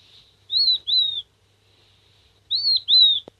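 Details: Seven-day-old king quail chick calling out for its parent: two clear high whistled pairs, each a short arched note followed by a longer slurred one, spaced about two seconds apart, ending with a soft click.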